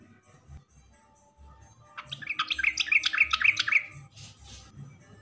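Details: A short lively yellow-vented bulbul phrase for drawing out quiet or young bulbuls: after near silence, a quick chattering run of bright bubbling notes lasting about two seconds, then a soft rush.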